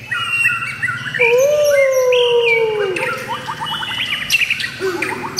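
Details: White-rumped shama singing: high whistled notes lead into a long, clear, slowly falling whistle, then a rapid run of short chirps. Other birds sing faintly in the background.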